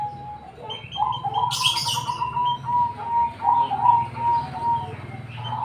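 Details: Cemani zebra dove in full song, a long unbroken string of soft, rolling cooing notes at steady low pitch, swelling and fading in waves, with a brief sharp rustle or flutter near the start.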